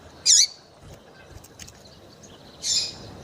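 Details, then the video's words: Female double-collared seedeater chirping to stimulate male song: a bright, high chirp with a hooked tail, then a softer, raspier note over two seconds later. "FÊMEA DE PAPA CAPIM PIADEIRA PARA DEIXAR SEU PAPA CAPIM DOIDO PARA CANTAR LOGO!"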